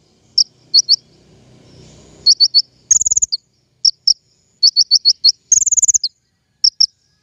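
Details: Lure song of the king konin for trapping birds: spaced high chips in small groups, broken by two quick rattling trills, with a faint low rustle early on.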